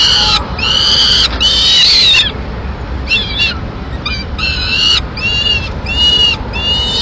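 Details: Female peregrine falcon feeding two nestlings a piece of pigeon, Madrid, 21 May 2016. Two long, rising, hoarse screams are followed by brief squeals, then a regular run of half-second screeches.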